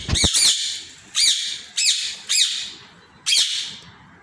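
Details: Indian ringneck parrot calling in an aviary: five loud, harsh, rising-then-falling squawks with strong harmonics, spaced roughly half a second to a second apart, against quiet background.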